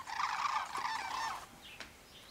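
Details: Migrating sandhill cranes gathered in farm fields on the Pacific flyway in Oregon or Washington: loud overlapping rattling bugles for about one and a half seconds, then fading to quieter distant calling.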